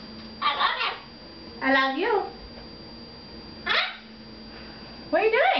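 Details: Pet red-fronted macaw talking indoors at home while its owner does her hair in the bathroom and another person on the couch talks to it; rough, harmonic, rising voice-like phrases in several short bursts, with quieter human speech between.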